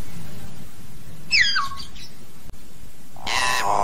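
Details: Common hill myna singing to call its flock: a clear whistle sweeping steeply down with harmonics, then, after a pause, a harsh, broad, squawking burst near the end, over low steady background rumble.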